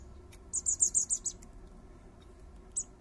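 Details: Three common blackbird fledglings fed by their father, who has a white neck patch, in a garden: a fast series of six sharp, very high squeaks in under a second, then one lone chirp after a pause.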